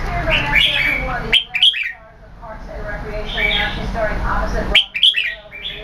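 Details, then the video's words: Red-whiskered bulbul singing keke competition song while growing tail feathers: bursts of loud, rich warbled and whistled phrases, a brief pause, then sharp clicks and renewed chattering notes. "Hammer Keke Competition Jambul"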